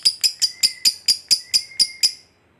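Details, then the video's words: Lovebird in 'ngekek' trill, used to provoke rival lovebirds. Ten piercing high chirps come about four per second in an even series for two seconds, then stop. "Lovebird Ngekek Panjang PALING JITU Bikin Lovebird Lain EMOSI, BARU DENGAR SEBENTAR Langsung BUNYI"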